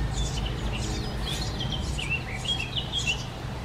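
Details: Baby Eurasian Tree Sparrows calling: clusters of shrill, scratchy chirps in quick succession, with a few downslurred tweets near the end and a constant low background hum.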